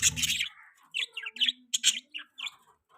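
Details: Budgie mating chatter: after a short noisy burst, quick high chirps and twittering squeaks follow in clusters, with a low drawn-out buzzy note underneath.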